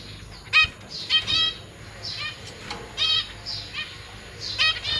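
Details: Zebra finch family in a large cage: the parents are feeding three juveniles and three newborn young that have just left the nest. Sharp, buzzy, stacked calls repeat about once a second over quieter twittering.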